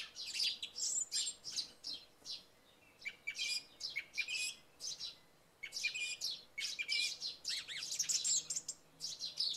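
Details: Song thrush in full song at dawn after night rain: clusters of shrill chirps and short whistled notes repeated in quick series, with a pause mid-clip, accompanied by chirping sparrows.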